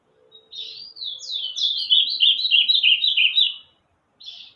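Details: Bananaquit singing a long, high, buzzy song of fast squeaky notes sliding downward over three seconds, preceded by a soft introductory note and followed by a short separate buzz.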